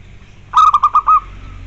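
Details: A kept zebra dove (perkutut) sings one brief, clear phrase: several quick clipped cooing notes followed by a longer final note that fades, with a quiet low background rumble.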